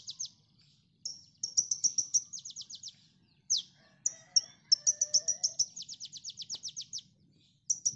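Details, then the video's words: Training recording of konin song for cage birds: long fast series of bright, high chirping notes in rapid rattling runs, broken by short gaps, with a faint lower whistled line and low hum behind. "MASTERAN KONIN Tembakan mantap!!"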